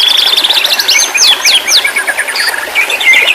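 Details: White-rumped shama singing, as therapy audio meant to restart a stressed, silent bird: dense tumbling phrases of sweeping whistles and slurred notes, high and bright, with brief pauses between bursts.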